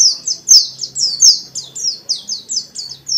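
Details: Singing dakun white-eye, kept bird, in a busy forest-style song used to stir rival white-eyes to answer; a steady run of high, downslurred chirps, roughly one every third of a second.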